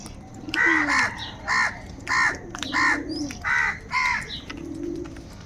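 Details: Six coarse, angry caws come at a steady beat about every three quarters of a second from crows fighting for food, with quiet low cooing in the background.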